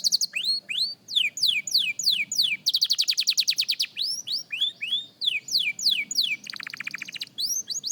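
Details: A beginner canary rehearses, mixing curved slurred whistles with a fast dense rattling trill in the middle and a buzzy burst near the end, notes tumbling quickly one after another.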